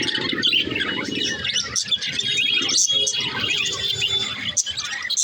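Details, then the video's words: Budgerigars, likely several, keep up dense, high warbling chatter with rapid chirps and buzzy trills that overlap continuously, plus a faint lower murmur underneath. "Beautiful parrot parakeet sound"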